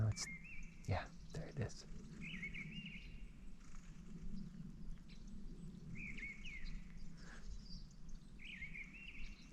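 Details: Mistle thrush singing from treetops on a gloomy, rainy winter day, 11 February 2024: short fluty wandering phrases spaced a few seconds apart, with a steady low wind rumble and a few clicks and knocks beneath.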